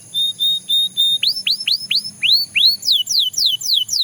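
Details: Belgian canary song opening with four level whistled notes, then arched rising-and-falling phrases, ending in a series of clear downward-sweeping whistles about four per second.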